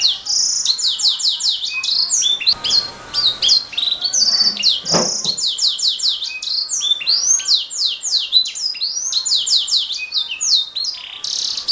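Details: Canary in gacor song, recorded as a master for training songbirds: dense, unbroken stream of rapid descending whistled sweeps and rolling trills, with a short noisy burst in the middle.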